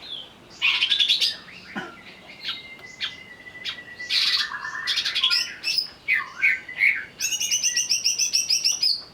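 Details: Greater green leafbird provoked to sing while agitated: a varied medley of bright whistled slurs and short chirps, a long steady whistle in the middle, and a fast buzzy harmonic rattle at the end.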